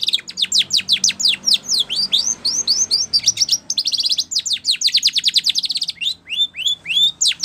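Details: Used for training canaries, this Spanish Timbrado canary song runs in quick series of sharp, high downswept notes, changing pace into tight trills and closing with slower rising whistles.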